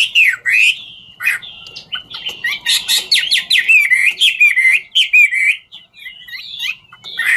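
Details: Chinese hwamei performing "ngũ trường" song while dancing: a swooping whistle, a short pause, then dense mixed whistles and rasping notes, ending in softer scattered phrases.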